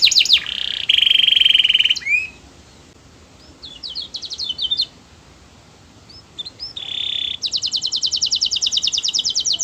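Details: Melodious canary song used to set other canaries singing: bursts of buzzy rolls and sharp chirps separated by quiet pauses, ending in a steady rapid trill of bright repeated notes.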